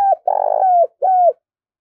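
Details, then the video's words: Spotted dove used as a decoy bird to lure others: a short clean coo phrase of three mellow, low hooting notes, the middle one longest and slightly falling, in otherwise silent surroundings. "Chim cu gáy mồi kích bổi nhanh nổi chuẩn nhất 2021 || Chim cu gáy mồi"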